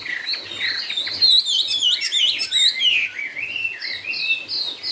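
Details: Loud, fluent Chinese hwamei song, 'cao cầu' style, with a continuous chain of sliding whistles that sweep up and down without pause. A faint low hum runs underneath.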